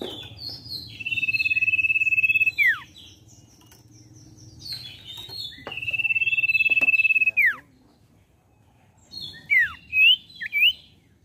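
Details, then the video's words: A common iora gives two long, steady, high whistles, each about a second and a half and ending in a sharp downward slur, then a few short rising-falling notes. "Pancingan CIPOH BAHAN Cepat Bunyi"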